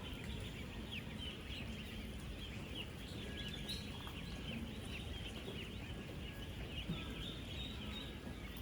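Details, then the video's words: A huge flock of 10-day-old ducklings on a duck farm, eating, drinking and moving around: steady high-pitched peeping chorus with short downslurred notes, over constant low background noise. "16,000 Ducklings Making AMAZING Sounds!"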